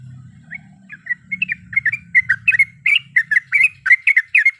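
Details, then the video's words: Calling female yellow-vented bulbul, used to draw a male and provoke a rival: bubbly notes start sparse over a low hum, then quicken into a steady chattering series of bright, slurred notes. "Suara Panggilan Trucuk Gacor Mencari Lawan Auto Emosi"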